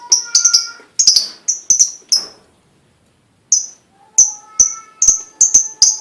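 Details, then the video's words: Lovebird lure song used to prompt other lovebirds to sing: sharp, high chirps in quick bursts, a silent gap of over a second, then a fresh run of evenly spaced piercing notes. "full bunyi pancingan love bird"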